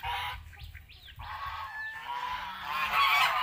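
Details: Farm geese in Asia honking loudly, a harsh call opening, short rising and falling yelps in the middle, then a dense rough chorus of honks building toward the end over low rumble.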